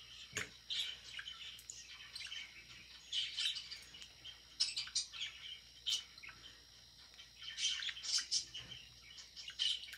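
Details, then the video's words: Budgerigar kept as a pet, chirping while it eats: scattered quiet chattering bursts and squeaky notes with gaps between, over a faint steady hum and occasional clicks. "EATING AND BEING CUTE #chirpingbirds #budgie"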